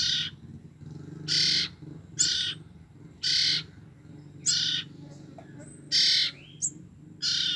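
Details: Two-week-old sibling common ioras used to lure their parents utter seven rasping, hissing bursts roughly a second apart, broken by short high chirps, over a steady low hum.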